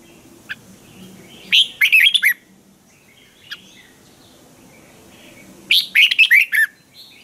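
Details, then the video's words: Red-whiskered bulbul, a caged Thai songbird, singing a lively, sharp training song: two bursts of rapid warbled, whistled notes about four seconds apart, with a faint single chirp between them and low background hum. "นกกรงหัวจุก | เจ้ากวนอู เสียงร้องริก คึกจัด คมชัด ครบเครื่อง เสียงฝึกร้อง"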